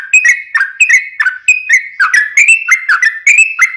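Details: Yellow-vented bulbul delivering its long unbroken song for training birds and calling in wild ones: clear slurred whistles at about three per second, each opening with a sharp click.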